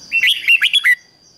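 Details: Decoy red-whiskered bulbul calling wild birds in: one quick, bright phrase of about six slurred whistled notes running together, over quiet background and a faint high tone.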